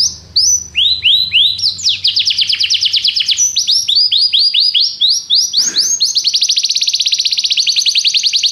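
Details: Canary training song opening over a faint low hum, then bursts of rising and falling sweeps building into an accelerating, very rapid trill of repeated notes, loud and high-pitched.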